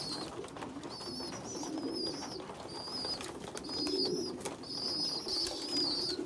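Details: Young pigeons during feeding, a poorly developed bird feeding larger ones: piercing high squeaks come in bursts roughly every second, some long and wavering, over soft low cooing.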